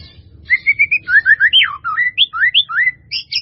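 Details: White-rumped shama giving a melodious full 'isian' song used as a training recording: a close, clear run of rich whistled notes, some rising and some falling, about a dozen quick phrases ending in higher sharp notes, over a faint low hum.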